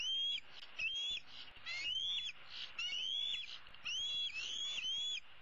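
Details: Female bald eaglet, the older of 2016's pair, roosting in a tree on 15 April 2016 with one leg dangling, calling her parents to bring food: high thin whistled notes rising then slurring down, repeated in quick irregular bursts about once a second.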